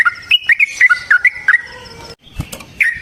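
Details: Yellow-vented bulbul in energetic song played as a lure for other bulbuls: a fast string of bright, liquid chirps bouncing up and down, followed by a short break, a soft thump and one more note.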